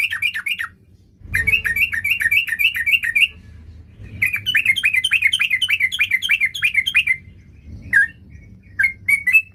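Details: Singing sooty-headed bulbul out to find a rival, delivering repeated runs of quick, bright rising-and-falling notes, several lively series separated by short gaps, ending with a few spaced, sharper single notes.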